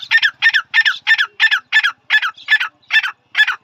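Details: Male grey francolin, or dhakhni tetar, producing a quick run of about eleven harsh, grating notes, about three each second, evenly spaced and loud.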